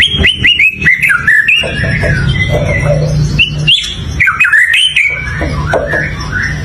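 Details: White-rumped shama in full song: quick strings of high chips and slurred whistles, varied and jumpy, over a low steady background hum.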